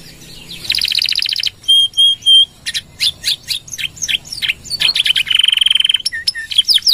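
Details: Canary singing a gacor full nembak song used to coach other birds: a buzzy trill, three clear pure whistles, a run of varied sharp slurred notes, then a long level rolled trill.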